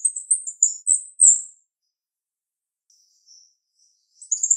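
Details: Female jalak rio-rio starling giving a sharp-voiced song: a quick run of high, thin chirped and warbled notes, a pause of near silence, then a fresh burst of shrill twittering at the end.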